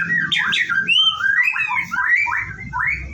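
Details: Morning song of a caged white-rumped shama about to bathe at a bird farm: loud, fluid whistled phrases slurring up and down in quick succession, with faint low background rumble.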